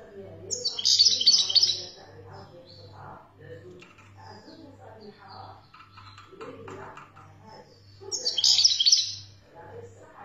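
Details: European goldfinch song from Algeria: two bursts of fast, high, tinkling twitters about seven seconds apart, softer scattered chirps between them and a pulsing low mechanical hum underneath.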